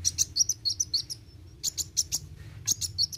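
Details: Kolibri wuling (olive-backed sunbird) singing roll tembak: quick high twittering chips with tiny trills, a faint thin whistle in a brief lull, then more rapid bright notes.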